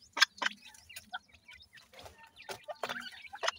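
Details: Young grey francolin chicks: a jumble of short sharp peeps, clicks and soft chirps, irregular and overlapping, with brief louder bursts.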